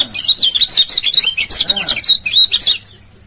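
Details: Lure call of a male Lombok white-eye, meant to get silent males singing: nearly three seconds of quick, high, twittering chirps in a dense run, then silence.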